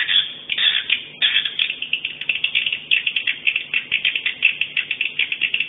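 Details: Swiftlet "50 kisses" sound from a 2017 swiftlet sound tournament, day 2: quick bright chirps and clicks, about four to five a second, with a few louder squeaky notes at the start.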